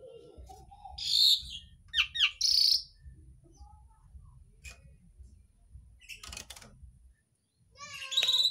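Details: Asian pied starling in song filled with imitations of other birds. Sharp whistles and clipped, squeaky phrases come in scattered bursts between quiet gaps, ending on a loud, rapid, chattering trill.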